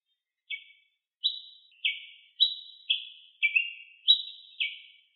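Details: Ruby-crowned tanager heard in nature: a pause, then eight or nine crisp chirps at an even pace, alternating pitch, with each note dropping off sharply and no other sounds.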